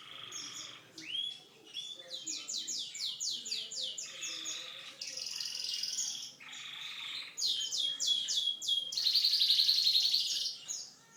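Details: Canary delivering a song described as unique: fast rapid-fire trills of repeated high notes in bursts, interspersed with rising whistles, ending in a loud buzzy rolling phrase.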